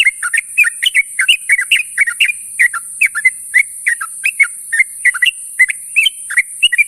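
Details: Sooty-headed bulbul calling companions in the morning: rapid run of short, bubbly whistled notes, each dipping and rising, repeated about three per second without pause, over a steady high hiss.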